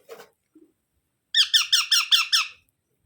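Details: Baby parrot: a couple of soft faint sounds, a second of quiet, then a loud run of six fast, rasping, squeaky notes in steady succession.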